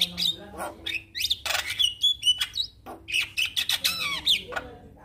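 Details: Javan myna in Indonesia, a quiet bird responding at once to a lure recording of another myna; a varied run of harsh squawks, rasping notes and upslurred whistles mixed with chirps, with a low hum underneath.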